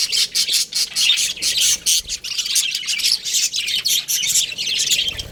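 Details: Baby budgerigars in an aviary chirp in a dense, high chattering chorus, with bursts of quick tweets pulsing on and off about every half second and no other sounds standing out.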